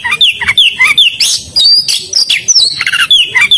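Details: Lively Oriental magpie-robin song, dense and high, with sweeping whistles, upward-slurred notes and fast chattering phrases packed closely together without pause.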